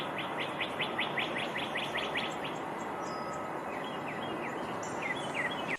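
Northern Cardinal song: a quick series of about ten clear, slurred whistles, then a few louder sweeping notes, over steady background hiss.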